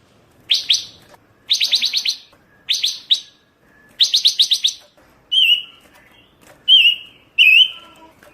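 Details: Pancawarna bird singing busily in a tutoring recording: several quick bursts of three to six sharp, high chirps, followed by three separate clear, slurred whistles with short gaps.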